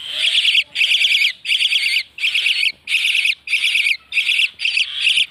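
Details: Common myna, known locally as shalike or moina xaliki: a steady series of eight or nine grating, rattling bursts, each under a second, separated by brief silences.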